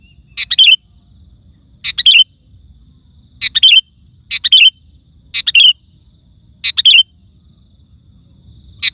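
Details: Kutilang, the sooty-headed bulbul, singing vigorously to make other bulbuls respond: seven chirpy bubbling phrases over nine seconds, roughly evenly spaced, with a faint high steady tone underneath.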